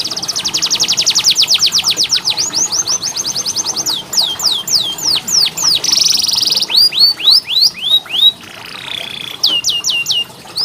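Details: Canary training song for lazy singers: a long fast rolling trill of falling notes, then clusters of sharp descending whistles, a brief buzzy burst, a sustained flat whistle and more quick downward slurs.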